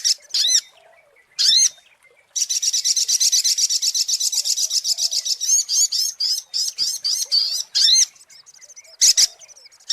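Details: Sunbird (sogok ontong) lure song: isolated down-curved chips, then a long fast high trill that loosens into spaced twittering chips and ends with more sharp notes.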